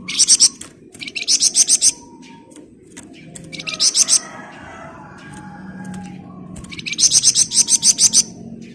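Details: Flamboyan bird in dense 'ngebren' song: four separate bursts of rapid, sharp, high pulsed chips, each six to eight notes long, separated by short pauses, over a steady low background murmur.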